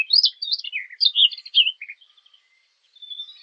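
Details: Hunting lure of a fig bird: a lively warbled phrase of high chirps sweeping up and down over about two seconds, then near silence with a few faint, thin notes trailing off.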